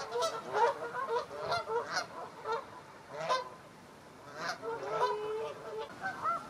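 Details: Loud, overlapping nasal honks from a large Canada goose flock grazing in a stubble field, Wiltshire, UK, October 2019. Many birds call in rapid bursts, with a short lull midway before the honking resumes.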